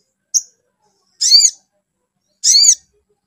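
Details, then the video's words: Provoking lure of a spiderhunter: a short thin high note, then two longer harsh, downward-curving calls about a second apart. "SUARA MENAIKAN EMOSI SOGON BIKIN SOGON LANGSUNG NYAUT GACOR"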